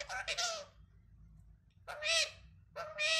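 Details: Talking parrot voicing raspy, breathy, speech-like bursts in Hindi, one at the start and two more after a gap, harsh and high with a faint low hum behind.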